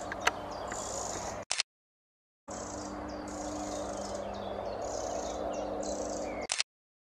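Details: On 26 May 2017, just-fledged young Eurasian wrens give thin, very high, hissy calls in quick uneven runs over a steady low rumble of background noise.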